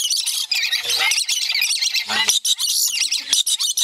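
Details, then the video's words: Pair of lories, male and female, getting excited during courtship play with a hand; dense, loud, raspy high squawks and screeches pour out almost without break, with a few short squeaky notes. "Loris playing big"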